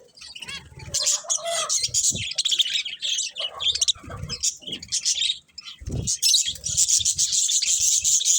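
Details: Budgerigars warbling and chirping steadily, with squeaky rising notes at first, then dense high chatter and a short lull in the middle.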